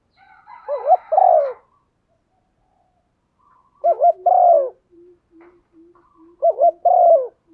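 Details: Female spotted dove cooing to stimulate a male, used to rouse decoy birds: three phrases of quick double notes and a long falling coo, roughly three seconds apart, with low soft pulses repeating between.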